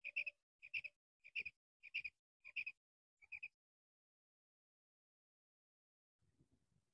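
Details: Female common quail giving clipped triple notes, sharp and bright, repeated about every 0.6 seconds for six bursts, then silence and a faint low rustle at the end.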